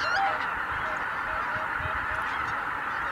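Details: At Kabukuri-numa, Japan, on 12 January 2019, a flock of Greater white-fronted geese rises together. A loud, clear upslurred honk opens, followed by steady overlapping flock clamour.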